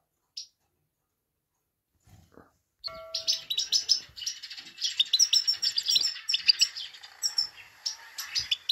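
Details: Himalayan goldfinch female's 'pit pit tak' call to stimulate a male: after near silence, a brief steady tone, then a fast, dense run of high chirps and twitters lasting about six seconds.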